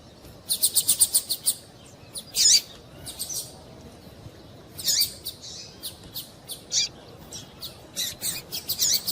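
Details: Female double-collared seedeater giving calls used to excite a male into song. A rapid train of high chirps opens the clip. Louder buzzy notes and scattered single chirps follow.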